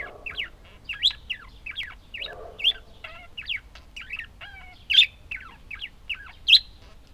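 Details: Budgerigars chattering in a busy, uneven stream of short chirps and twisting warbled notes, some rising, some falling, with several sharper high squeaks cutting through a few times across the clip.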